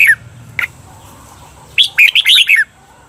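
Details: Red-whiskered bulbul, training song in the Thai 'double' (เบิ้ล) style for cage birds; a couple of isolated sharp notes, then a quick burst of five or six lively, slurred whistled notes.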